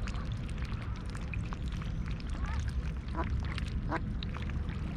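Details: Wild mallards, a mother with her nearly grown brood of six, feeding on oats at Snelli Pond in Tallinn's Old Town, Estonia, at 6:30 on a mid-July morning; a few short nasal quacks around three to four seconds over steady low rumbling noise.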